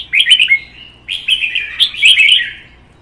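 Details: Competitive singing by caged red-whiskered bulbuls, one a wild-caught adult displaying a fanned tail. Three loud, lively phrases of chattering, liquid whistles follow one another closely, each ending in a downward slur.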